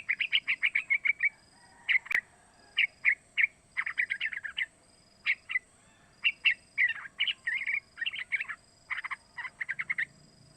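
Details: Young yellow-vented bulbul about three months old, its call used as a lure to prompt other bulbuls to sing: rapid series of short chattering notes in quick bursts, repeated with brief pauses, over a faint constant high hiss.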